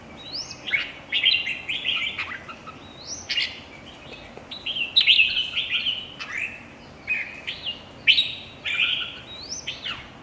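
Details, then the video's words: Red-whiskered bulbul singing at a bird singing competition: short, bright warbled phrases of rising and falling whistles, mostly high-pitched, delivered in quick bursts roughly every second or two with brief pauses between. "chào mào thi đấu"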